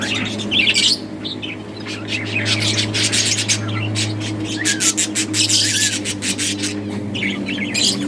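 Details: Budgies in a breeding colony, playing; dense bursts of high, scratchy chirps and warbles, loudest in the first second and near the end, over a steady low machine hum.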